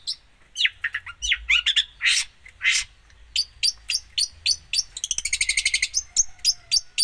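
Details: Energetic long-tailed shrike song rich in mimicry: varied twittering notes and harsh bursts, then a fast stuttering trill of bright chips, with quick repeated high notes to close.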